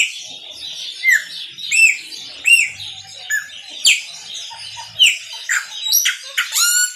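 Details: Chopi blackbird singing a maranhãozinho-style song, singing a lot: loud rising and falling whistles with sharp slurred notes and buzzy high chatter, phrases bursting about once a second over a dense background of other high chirping.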